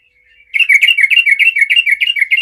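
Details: Rival-challenging song of a yellow-vented bulbul, sung to provoke other bulbuls into answering: a steady run of rapid, bubbly notes repeated about five times a second, with no break for two seconds.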